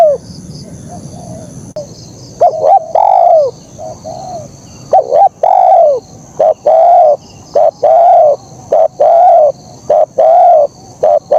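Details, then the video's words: Spotted dove singing KUK 1 style in a fast, busy run. Mellow coos, some long and falling, some short, tumble out at a brisk, uneven rhythm after a quieter start. Faint hum behind. "Suara Burung Kicau Terkukur Gacor KUK 1"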